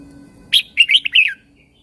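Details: In Thailand, a caged Red-whiskered Bulbul sings a song played to train and excite other birds. One brisk phrase of five sweet, slurred whistles, each sliding up then down, clear and close.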